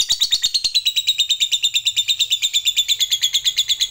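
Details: Lovebird in long ngekek, the extended chattering song used to rouse other lovebirds: steady rapid shrill pulses, tightly regular, running without pause across the whole recording.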